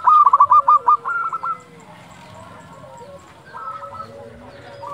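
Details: Zebra dove of local stock, recorded at dusk as a lure: a fast loud series of staccato cooing notes for over a second, fading into softer answering phrases from other doves.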